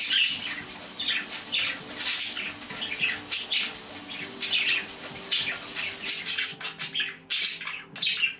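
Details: Pet budgerigars excited by running water: busy chattering and chirping with rapid warbled notes throughout, over a constant water hiss that ends near the close, leaving a few clicks and chirps.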